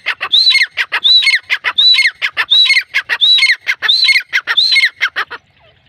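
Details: Grey francolin calling loudly: repeated phrases of a clear high arching whistle followed by harsh grating notes, about one phrase every 0.7 seconds, ending abruptly.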